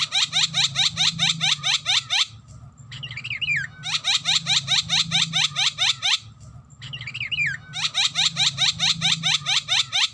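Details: Javan myna song used as a lure track for other songbirds: a twisting warbled phrase followed by a rapid burst of about ten sharp rising chirps. The pattern repeats identically roughly every three and a half seconds over a low steady hum.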